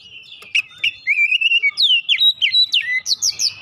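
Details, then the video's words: Oriental magpie-robin song meant to set other birds singing: a long level whistle, then a quick series of loud swooping and upslurred whistled notes, rich and varied, delivered about three per second. "pancingan Kacer ampuh langsung gacor"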